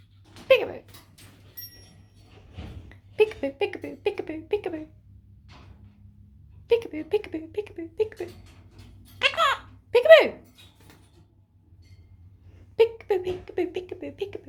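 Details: Pet foster monk (Quaker) parakeet, handled by its carer amid repeated "peekaboo", mimicking speech in bursts of clipped, speech-like syllables with sharp squawks.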